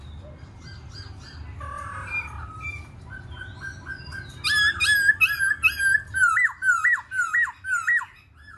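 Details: Black-throated laughingthrush in song while dancing: soft scattered notes and warbles at first, then from midway a loud series of ringing, slurred whistles with sharp up-and-down turns, repeated rapidly.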